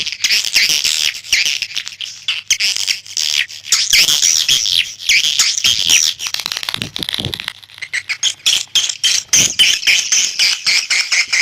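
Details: Swiftlet calling sound used as a lure for swiftlets: a dense, high twittering chorus of overlapping chirps, about three or four rapid buzzy notes a second, continuous throughout.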